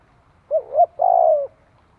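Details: A single spotted dove phrase, used to train young birds and stir rivals: two quick low coos, the second rising, then a long, steady, slightly wavering coo trailing downward, over a quiet background.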